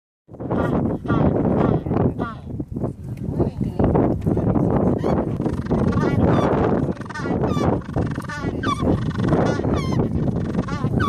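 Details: Magellanic penguins squabbling in a colony at Punta Tombo, Patagonia, Argentina: harsh, honking, wavering calls overlap almost nonstop, with a rough, noisy background of scuffling.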